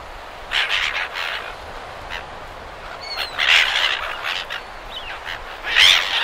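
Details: Several silver gulls calling close by at Perth, Australia, with surf behind: harsh, nasal squawks in irregular bursts, some overlapping, over a steady wash of waves.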